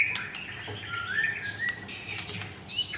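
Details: White-rumped shama held in a cage at a Jakarta bird kiosk, giving softer, scattered clear whistles, some slurred upward, with brief sharp ticks in between and a faint background hum.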